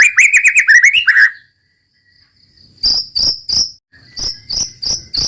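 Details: White-rumped shama (murai batu) singing in the roll tembak style: a quick run of rising warbled notes, then a pause and a series of loud, harsh, clicking bursts repeated about every half second.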